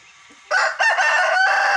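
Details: A rooster crows at full force, a loud, raspy, harmonic-rich cry bursting in after half a second of quiet and holding strongly to the end with a brief break midway.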